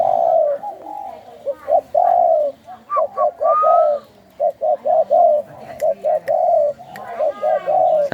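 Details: Captive spotted dove of the Thai 'khu ang' song line, cooing in phrases of short clipped notes followed by a longer, slightly falling coo, repeated several times. A brief higher whistled note is heard midway; the setting is otherwise quiet.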